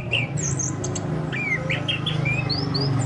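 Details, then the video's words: Orange-headed thrush singing on a lure recording. Rapid, varied whistled notes include slurred rising and falling strokes and high thin upslurs. The notes follow one another almost without pause over a continuous low droning hum. "Pancingan burung anis kembang"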